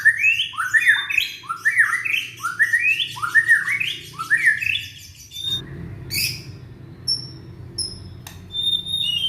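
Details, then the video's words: Young Indonesian white-rumped shama singing to prompt other shamas: a fast string of about ten upswept whistles in a descending-ascending rhythm, then sparse sharp high notes over faint background noise. "Murai batu muda tunjukan pesona,cocok buat pancingan murai macet bunyi"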